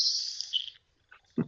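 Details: A Nelson's Sparrow gives its thin, airy, sizzling song, a hiss with no sharp ending that fades away over under a second and carries less far than a Le Conte's Sparrow, followed by a brief voice.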